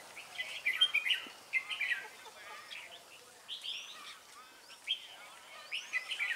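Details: Red-whiskered bulbul acting as a trapping lure at Ba Thá on 18 December 2016; quick chattering, warbled phrases in uneven bursts, some thin upward-sliding whistles between them.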